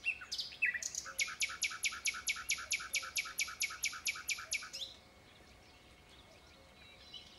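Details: Singing common nightingale gives brief varied introductory notes, then a loud, strongly rhythmic series of roughly sixteen harsh, broadband repeated notes, about four per second, before stopping into silence.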